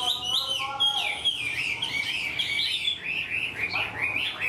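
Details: Chinese hwamei, a caged wild-caught bird said to sing fluently like a tame one, gives rich, fast whistled song, with high sweeping notes and rolling phrases that rise and fall without pause.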